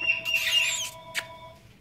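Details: A playful blue-throated macaw gives a harsh, raspy squawk lasting most of a second, then a short sharp squawk, over a steady faint electronic hum.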